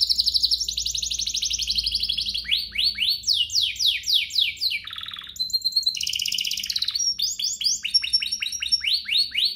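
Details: Canary song for stirring other canaries to sing: a long, loud sequence of trills, steep descending sweeps and short whistled notes, shifting motifs every second or two, with little background noise.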